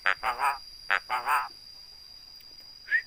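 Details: Javan myna copying the human voice gives the same three-syllable spoken phrase twice, a clipped note then two fuller drawn syllables. A pause follows, then a brief rising whistle at the end.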